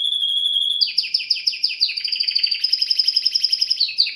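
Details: Song from a red factor canary couple: it opens with a long, pure whistled tone, then breaks into a series of quick descending chirps and rolling trills that speed into a fast, even rattle. No other sounds.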